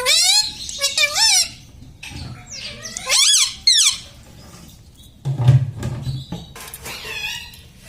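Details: Pet parrot indoors mimicking spoken words, including "mummy": bursts of loud warbling voice-like phrases with wavering pitch, several short bouts across eight seconds, mixed with low rumbling thumps and a human voice.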